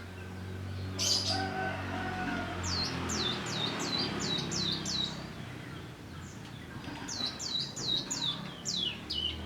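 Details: Young wild prinia rehearsing ngebrem song: runs of five or six quick hooked chip notes in rapid series, a pause, then another run, over low background rumble.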